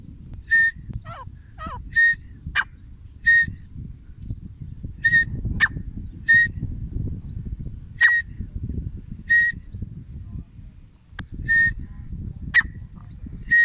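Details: Grey francolin, called desi teetar, recorded in 2021: a series of short loud calls, each a buzzy burst with a clear whistled note, repeated about every one to two seconds, over steady low rumbling background noise.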